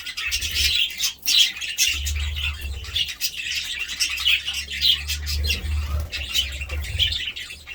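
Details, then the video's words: Budgerigars keep up a steady chatter of squeaky chirps and sharp high notes, briefly dipping around the one-second mark, over a recurring low hum. "budgie sounds"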